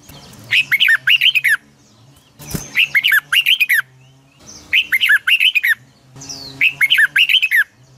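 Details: Caged red-whiskered bulbul in morning training song with a long twisting double voice: four bursts of quick liquid warbling notes, each about a second long, separated by short pauses, a low background hum and one sharp click.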